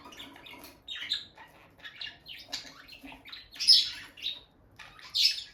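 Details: Two bonded peach-faced lovebirds by their nest box trade short, high, bright chirps and squeaky notes, loose and irregular, roughly every half second, in a quiet room with no music.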